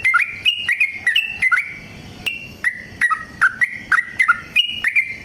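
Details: Yellow-vented bulbul delivering its long fighting song to draw song from other bulbuls; sweet whistled notes in quick, uneven series, about three a second, with one brief quiet spell midway.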